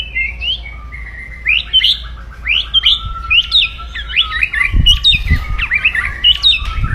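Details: Crackling aggressive song of a white-rumped shama meant to raise a rival's emotion: a steady run of sharp rising chip notes over a thin sustained whistle, with low knocks near the end.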